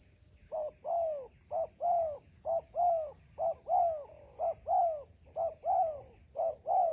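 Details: Spotted dove in a melaleuca grove during trapping with a decoy bird, a wild dove responding: mellow coos in paired phrases, a short note then a longer falling one, about once a second, over a steady high insect whine.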